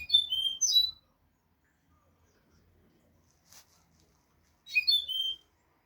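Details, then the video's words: European goldfinch sings the note used to educate young goldfinches: a high twittering phrase, then quiet with one soft click, then the same phrase again about four seconds later. "audio pará educar a los jilgueros sin errores |كيفية تعليم طيور الحسون نظيفة بدون عيوب"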